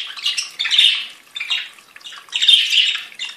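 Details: Budgerigars kept by a breeder chattering: two or three scratchy, buzzy squawking bursts with short gaps between them.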